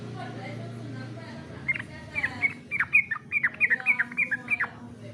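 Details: Yellow-vented bulbul competition song material: after a steady low hum, a lively series of short, sharp whistled notes begins and repeats roughly three times a second until the end.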